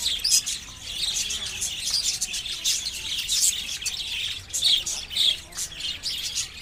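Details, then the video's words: Little birds chirping outdoors: many overlapping high, quick chirps and tweets from several birds in a dense, continuous chorus. "natural sounds of the little birds chirping"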